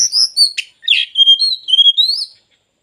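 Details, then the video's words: Oriental magpie-robin, tail fully spread, singing a melodious run of whistled notes, a harsh rasp, then sustained level and rising clear whistles fading out. "Kacer full buka ekor"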